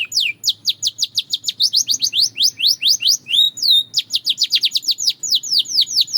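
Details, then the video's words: Belgian canary in continuous song, used for daily singing practice: rapid chains of bright, high notes that each sweep downward, with a hooked whistled phrase midway before the quick trilling resumes. No other sounds. "The Melody That Turns Any Canary Into a Singing Star!"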